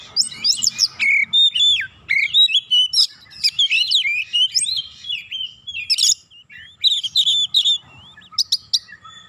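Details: Oriental magpie-robin song played as a lure to get sluggish birds singing steadily: a varied run of loud whistled phrases, rising and falling slurs and sharp high notes, with brief pauses between bursts.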